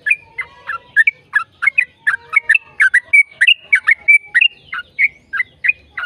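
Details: Yellow-vented bulbul song with long ropel phrasing, used as a prompt to get other bulbuls singing: rapid run of short bubbly whistled notes, several per second, mixed with a few sustained clear whistles.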